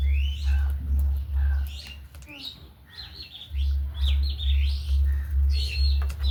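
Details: Budgerigars kept as pets alongside hens make scattered high chirps and warbles, pausing briefly midway, with a pulsing low mechanical hum underneath.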